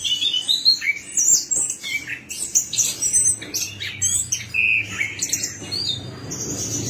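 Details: Orange-headed thrush song used as a lure to get a silent bird singing: dense, rapid run of high chirps, trills and whistled slurs, varied and almost unbroken.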